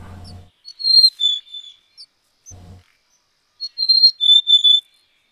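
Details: Mountain Chickadee in the Sierra, California, giving two phrases of clear, high, staccato whistled notes that step downward, with longer held final notes; brief low voices are heard between phrases.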